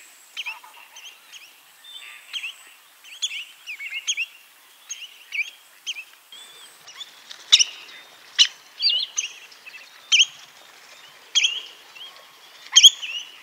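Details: Spotted redshank giving a series of short whistled and chattering notes, uneven in spacing and loudness, some sharper accented notes in the second half, with a faint hiss in the background.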